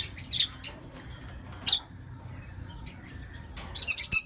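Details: Caged lovebirds, blue opaline and lutino opaline, chirping in the morning: short high squeaky chirps in bursts, one near the start, one mid-clip and a rapid cluster at the end, with quiet background between.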